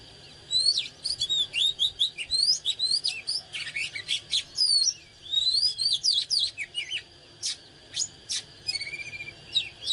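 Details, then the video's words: Rich, fast oriental magpie-robin song delivered in the excited 'căng lửa' manner: a dense stream of varied whistles, upslurs and sharp chips with brief pauses, ending in a sustained level whistle and a final upward note. "เสียงนกกางเขนบ้านหรือนกบินหลาขี้ควายใต้ Chích chòe than CHÒE THAN CĂNG LỬA HÓT MÚA CỰC HAY นกกางเขน"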